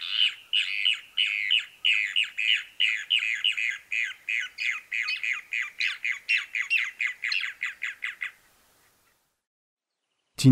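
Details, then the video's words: Brown Cacholote (Cacholote castaño) giving a loud, harsh chattering series of about thirty raspy notes, three or four a second, quickening slightly before stopping abruptly. "Cacholote castaño"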